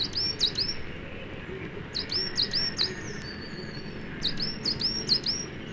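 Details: Coal tit song in British broad-leaved woodland, where it sings from January onwards, usually from conifers: quick, high, thin double notes repeated in short bursts, faster and less strident than a great tit's, over soft background hiss.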